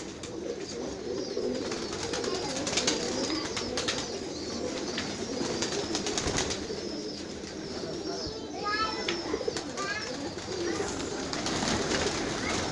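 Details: Rooftop flock of kept pigeons producing a continuous low burbling coo chorus, many birds overlapping, with scattered sharper chirps from other small birds near the end.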